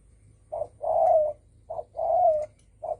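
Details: Spotted dove giving a 'đồng thổ sấm' style call used to provoke other birds: low, hollow coos alternating short and drawn-out notes, a brief coo then a long wavering one, repeated; faint low hum underneath.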